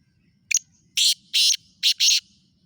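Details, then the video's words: Black francolin from Khushab calling clearly: a quick clipped double note, then four harsh, grating notes grouped in two pairs, loud and scratchy against a quiet, low-humming background. "kala teeter ki awaz"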